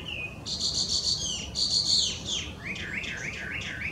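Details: Wild Chinese hwamei in Japan, an invasive introduced songbird: a harsh buzzy, rattling passage gives way to a quick string of small looping whistled notes, with soft background noise.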